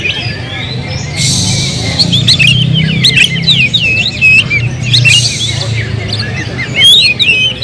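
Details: Oriental magpie-robin song of varied whistled slurs and chattering notes over a steady low hum, interrupted by two brief loud noise bursts.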